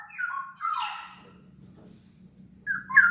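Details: Black-naped oriole from Sumbawa kept as a singing lure for orioles: a quieter stretch with a couple of rough, whistled phrases at the start, a long pause over a low hum, then a fresh fluty phrase at the end.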